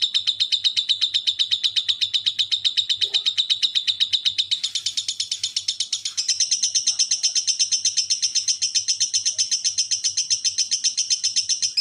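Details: Lovebird ngekek at fast, dense speed, meant to make silent birds answer: a continuous rattling trill of about four notes a second, shifting slightly higher partway through, over a faint hum.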